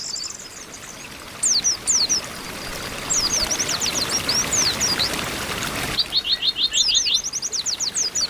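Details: Oriental white-eyes (pleci) in a group chorus, presented as females calling to stimulate males: bursts of thin, high chirps and rapid down-slurred twitters, with a steady rushing, water-like hiss throughout.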